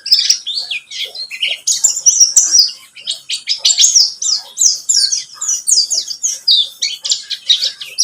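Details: Lure song of a buxtomi white-eye, played to get a bird to sing: a dense, unbroken stream of high, quick, twittering and downslurred notes with a busy, chattering rhythm.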